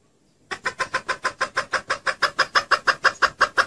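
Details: Female red junglefowl call used to lure birds when hunting: after a brief silence, a steady, fast series of about twenty harsh, evenly spaced clucks, roughly three per second, growing slightly louder.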